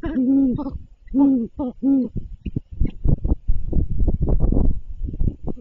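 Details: Great horned owl at its nest as food is delivered: three or four low, full hoot-like notes in the first two seconds, followed by rustling, scuffling noise with no further clear calls.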